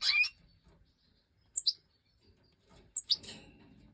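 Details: European goldfinch of the Major type, filmed during the 2024 breeding season: a quick burst of high, sharp twittering notes, then two isolated bright chirps a second and a half apart, with faint low rustling between them.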